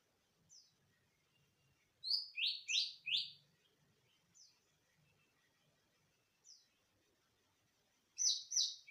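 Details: Greater green leafbird song used as a lure to stimulate other birds to sing; loud triplets of sharp descending slurred notes, with single thin high downslurs between, on a quiet background.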